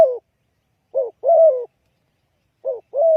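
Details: Spotted dove calling as a trapping decoy: short low coo notes followed by a longer level, husky coo, in two incomplete phrases.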